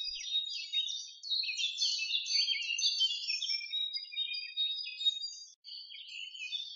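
Jungle babblers keep up a harsh, squeaky chatter of rapid overlapping notes, high-pitched and nearly continuous, with no other clear sounds.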